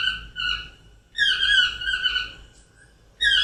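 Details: Two or three Yellow-throated Toucans ('Dios te dé') calling together in a ragged, overlapping chorus of loud, yelping three-part phrases, as group members often do in tropical rainforest. A faint keel-billed toucan is heard very softly behind them.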